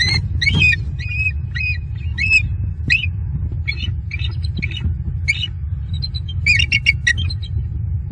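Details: A pair of eagles on their nest tree in Southwest Florida, overnight on 4 November 2022, watchful and calling at something after an owl-like bird flew toward the nest; rapid, high, squeaky chittering notes in uneven bursts over a low rumbling hum.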